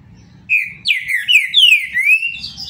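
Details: A captive Green-winged Saltator of the Paraná type sings a loud, clear whistled phrase of slurred notes that rise and fall, then end on a sustained high note, over a faint low rumble.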